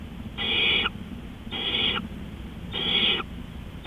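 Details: Night recording from 3:15 AM, 20 April 2013: an owl repeats raspy, breathy screech-hisses, three clear bursts about a second and a quarter apart, with low hum underneath.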